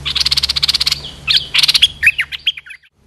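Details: Lured Streak-eared bulbul, a big territorial bird in good shape: a fast buzzy rattle of about fifteen even pulses, a pause, a second rattle, then a few clear slurred chirps fading out.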